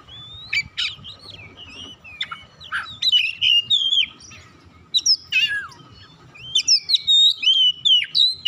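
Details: Oriental magpie-robin singing to prompt silent birds into full song: lively varied whistles, chirps and buzzy notes, delivered in bursts of rapid phrases with quieter gaps, a steady low hum underneath.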